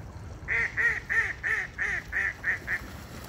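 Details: Geese on a pond: a run of eight nasal, harmonic honks, evenly spaced about a third of a second apart, each loud and slightly down-curved, over a low background rumble.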